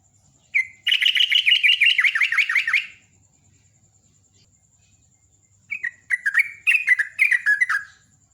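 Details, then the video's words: Sooty-headed bulbul giving a morning song in the ropel ngecruk style: a fast run of bubbly, slurred whistled notes, then a pause of nearly three seconds and a second shorter burst of rising and falling chirpy phrases. "Jogjog ropel ngecruk kicauan pagi"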